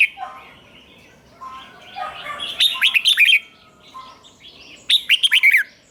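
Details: Caged red-whiskered bulbul singing the 'rik' style with a triple 'double' phrase, played so other birds can copy it: a few soft early notes, then two bursts of quick, bright, slurred whistled notes, one mid-clip and one near the end.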